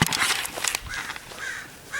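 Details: Common ravens at Cheseboro and Palo Comado Canyon, Agoura Hills, California, on 15 February 2025, calling as foxes are seen nearby: a quick burst of several harsh, raspy notes, then quieter hoarse sounds over an outdoor background.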